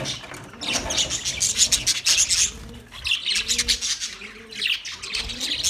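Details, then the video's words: Budgies on 9 March 2024 in bursts of loud, rasping high chatter, with low, rounded cooing notes repeating in the second half. "Relaxing Sound Of Budgies"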